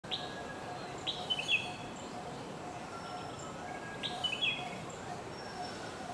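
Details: Red-whiskered bulbul giving short, bright whistled phrases that rise and fall, two bursts about three seconds apart over a steady hiss of background noise.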